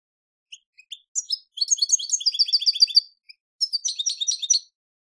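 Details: European goldfinch song taken from a goldfinch song tape: scattered single chirps build into a jangling twittered phrase, then a short gap and a second bright tinkling burst.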